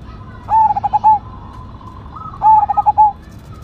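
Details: Zebra dove, Cemani Majapahit perkutut, singing actively with a strong voice. Two loud phrases of rapid bubbling notes, each ending in a longer coo, come about two seconds apart. Faint cooing from other doves sounds behind.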